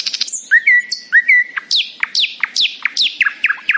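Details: Nightingale singing happily in the morning: a few pure whistled notes near the start, then a series of sharp, rapidly descending chirps repeated about every quarter second, loud and clear against a quiet background.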